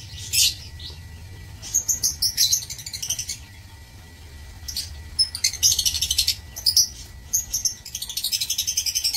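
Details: Lovebirds in an aviary, March 2024, giving clusters of rapid, harsh high-pitched chatter and ticking squeaks, with a quieter pause midway before fast repeated bursts resume.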